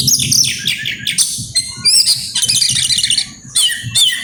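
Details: Oriental magpie-robin in grabakan song bringing out isian: fast, shrill, varied chirps, sweeping whistles and rattling trills packed tightly together, with brief gaps between bursts and a low background murmur.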